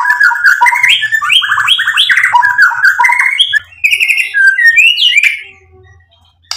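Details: White-rumped shama song, used as a lure to provoke other shamas and stir them into full song: a rapid run of varied whistled phrases and chattering notes that step up and down, ending in higher scratchy notes before fading to quiet.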